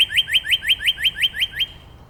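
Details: A Northern Cardinal in Angrignon Park, Montreal, on April 4, 2026, sings an upward-slide theme. It gives a quick run of nine clear, upward-slurred whistles, about five per second, then stops; faint low rumble behind.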